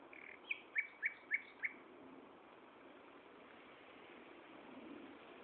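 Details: Singing nightingale at Gaasperzoom, 16 May 2012, 15:30: a short lead-in note followed by five strong, evenly repeated high chips, then several seconds of steady background hiss.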